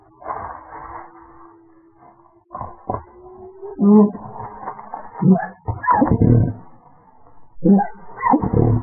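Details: White-tailed eagles at their nest in Woziwoda, Bory Tucholskie, Poland, on a Sunday. The female guards the clutch while the male drives off an intruding adult eagle. Harsh, loud call bursts come in irregular bouts, with a steady drawn-out tonal note near the start.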